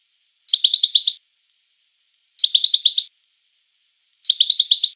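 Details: European goldfinch giving three short bright twittering bursts, each a quick run of about six tinkling notes lasting under a second, spaced about two seconds apart with clean silence between.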